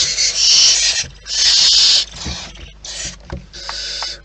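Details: Two strong breathy hissing bursts from wild barn owls at the nest, followed by weaker, shorter hisses and some faint tonal squeaks mixed with scraping sounds.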